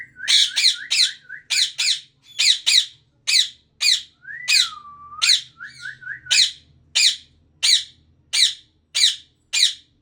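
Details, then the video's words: Breeding pair of Indian ringneck parakeets giving harsh, loud squawks repeated roughly every half second, with one drawn-out whistle that falls and then rises midway through. "Ringneck parrot 🦜 Breader pair"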